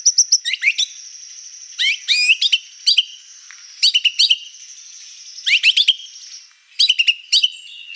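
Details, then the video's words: White-rumped shama, described as a vigorous, prolific singer, giving bursts of sharp high chirps and rising notes with clicking trills, separated by short pauses. "MURAI BATU GACOR ISIAN BANYAK"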